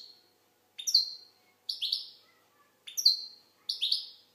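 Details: Algerian goldfinch singing twittering phrases of bright, slightly falling notes in four clustered bursts, each lasting under a second, with silence between.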